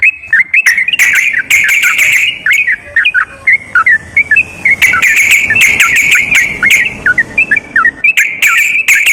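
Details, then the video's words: Lure recording of sooty-headed bulbul song for a bird that is lazy to sing: fast chattering bursts alternating with slurred whistled notes, repeated through the clip. "TERAPI BURUNG TRUCUKAN MALAS BUNYI//ISIAN PANCINGAN TRUCUKAN YANG MALAS BUNYI"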